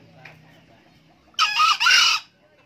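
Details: An old male green junglefowl that crows readily lets out one loud rasping crow in two joined bursts, the second slightly longer, after a quiet stretch with faint background noise.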